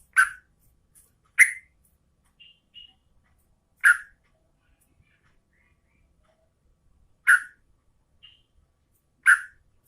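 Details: Female yellow-vented bulbul calling for a male: loud, short, slightly lower chirps spaced one to three seconds apart, with faint thin whistled notes between them.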